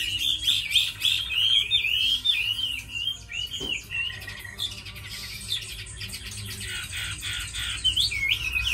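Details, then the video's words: Tame Chinese hwamei, noted as a good fighter with a fine voice, sings fast looping whistled phrases, pauses into softer chatter, then resumes with sharp rising notes; faint hum throughout. "Mi thuần đấu tốt hót hay"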